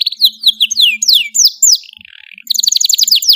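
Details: Long, sweet canary song meant as tutoring material for young birds: a series of clear descending whistles, a brief soft buzzy pause, then a fast high rattling trill.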